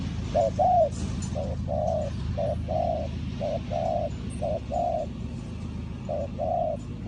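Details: Spotted dove used to lure wild doves into a trap. Somewhat muffled paired coos, short then longer, repeat about once a second over a continuous low background drone.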